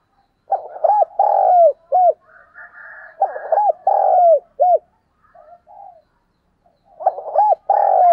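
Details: Spotted dove used as a decoy giving calling coos and rapid 'thuc' notes: mellow low hooting phrases, clusters of short rising-falling coos with longer drawn notes, a brief pause, then a fresh burst of coos.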